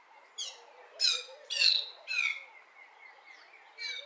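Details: Early-morning song of a lesser striped swallow in a garden: five sharply downslurred, squeaky nasal notes with strong harmonics, delivered at a fairly steady pace with a longer gap before the last, over a quiet background.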